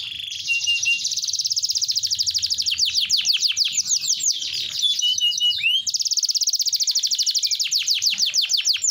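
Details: A caged canary sings vigorously in rapid runs of high, repeated trilled notes. It switches between fast rattling series and sweeping whistled phrases, keeping up a steady, energetic song.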